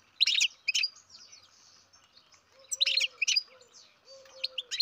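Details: Baby European goldfinch, captive-bred, uttering short clusters of sharp high chirps at intervals, with a low steady hum sounding faintly between the bursts.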